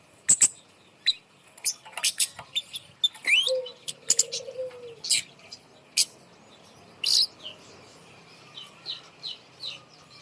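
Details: A kemade bird placed high up as a lure to make lazy birds sing. It gives a lively run of high chirps and clicks and one low, wavering whistle, then tapers to sparse notes.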